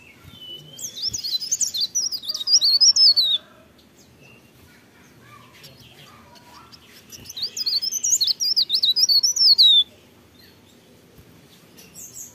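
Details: Mountain leaf warbler singing in the morning: two bursts of high, rapid, thin twittering and warbled notes, each about three seconds long, separated by a quiet pause, with faint softer chirps in the background.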